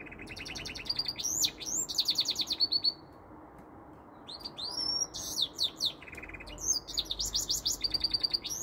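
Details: Goldfinch × canary mule singing with some canary notes: rapid buzzy trills alternate with bright upslurred whistles and twittering phrases, pausing briefly before resuming. The bird sings all day long.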